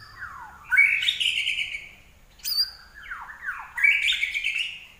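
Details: Common iora in 'gacor' song: repeated phrases, each starting with low downward slurs and swelling into a bright, buzzy high whistle, separated by short pauses.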